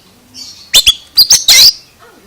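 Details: Oriental magpie-robin with an odd vocalization: a soft high whistle swells into two sharp chirps, then a pair of ringing notes and a harsh, rasping burst before fading.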